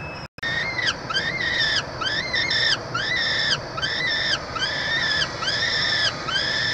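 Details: Peregrine falcon chick being fed in a Montreal university nestbox, Quebec, Canada, 22 June 2023; slow, evenly spaced arched wails, roughly one per second, each with rich layered harmonics, after a brief dropout at the start.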